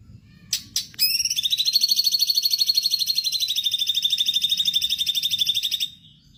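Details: Stripe-throated bulbul (cucak cungkok), gacor song for training caged songbirds: two sharp clicks, then a long, even, rattling trill of quick repeated high notes held for about five seconds before stopping.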